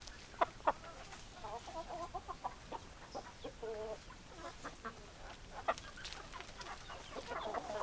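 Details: Hens clucking in a flock: short repeated nasal clucks and low churring notes in loose series, with scattered sharp clicks and shuffling in the background.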